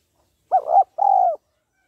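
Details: Female spotted dove stimulating a male with her call: a double-humped opening coo and a longer even note that falls gently at the end, recorded cleanly with no other sounds.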